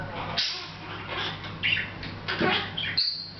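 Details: Hahn's macaw kept as a pet, chatting a little without noticing the camera; scattered raspy squawks and short chirps with gaps between, one thin whistled note near the end, over a constant low hum.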